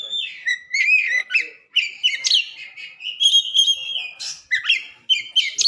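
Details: Caged-bird training recording of a white-rumped shama singing: a continuous run of varied whistles, sliding notes and sharp chips, with a long steady whistle midway.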